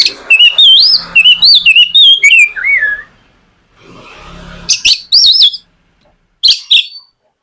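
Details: White-rumped shama singing as lure audio to start a young shama singing: looping, wavering whistles with chips, a descending slurred phrase, a brief noisy pause, then sharp chip bursts.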